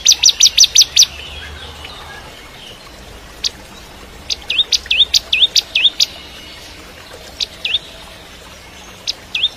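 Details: Bar-winged prinia singing actively, used as training song for white-rumped shamas: a quick burst of six sharp high notes, then spaced hooked whistles dipping and rising, some single sharp ticks between.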